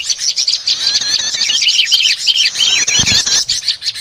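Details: Prinia lure sound used to attract and catch small birds: dense, busy high chirping and twittering with rapid trills and short notes, a thick noisy chorus throughout and a brief low thump near the end.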